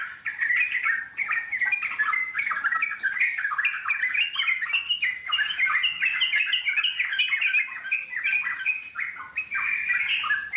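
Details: Yellow-vented bulbul in the wild, long nonstop chattering song meant to make wild birds answer; dense, lively stream of throaty warbles and slurred chirps, almost unbroken for ten seconds.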